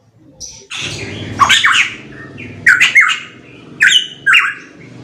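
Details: Pitohui song of strident, rising whistled notes in pairs over a noisy low rumbling background, a burst of broadband noise early on, then three clear phrases spaced about a second apart.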